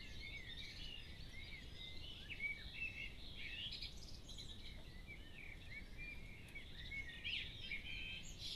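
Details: Dawn chorus of several wild birds at 4am on 10 June 2015 in Cambridgeshire, UK: overlapping high chirps and short whistled phrases, some rising and falling, over a steady low background rumble.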